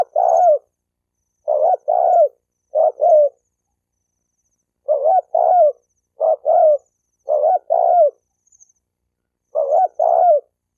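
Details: Spotted dove coo to provoke males and females to fight; repeated two-note low hollow phrases, the second falling in pitch, in irregular clusters separated by pauses of one to two seconds, no other sounds.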